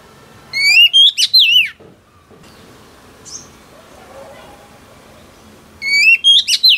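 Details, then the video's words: Female oriental magpie-robin, a newly caught wild bird, singing to excite males: a burst of bright, wavering whistled phrases, then a long quiet pause with faint background hiss, then the whistled phrases return. "Choè than mái bổi lên giọng hót kích trống cực chất"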